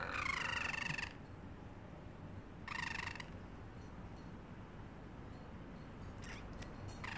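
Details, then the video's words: Caged pet parrotlet copying a cat's meow: a loud wavering harmonic call at the start, a shorter rougher meow near three seconds, then faint ticks and a brief final note. "parrotlet making funny sounds and meowing like a cat"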